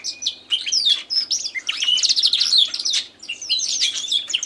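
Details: A newly acquired canary sings against a competing tui behind it, producing rich rolling trills, sliding whistled notes and sharp chirps in rapid bursts with brief dips between phrases.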